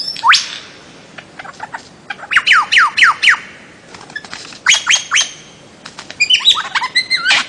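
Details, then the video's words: Bird-of-paradise, with hashtags pointing to Papua and the Aru Islands in Maluku, giving loud harsh downslurred notes in quick bursts of three to five, with separate high squeaky calls and other chirps between. "kicau burung cendrawasih"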